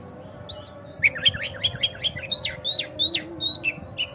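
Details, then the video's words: Kacer, the Oriental magpie-robin, singing a lure song meant to spur other kacer into full song with tail spread: a fast run of chattering, rising whistles that turns into loud, repeated slurred notes about three per second. "Pancingan Kacer Agar Cepat Gacor Ngotot Buka Ekor"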